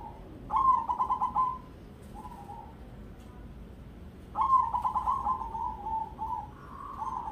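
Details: Crossbred zebra dove in ketek dobel rhythm: a fast pulsing trilled coo, a short pause with one plain coo, then a longer trill sliding into level drawn-out coos.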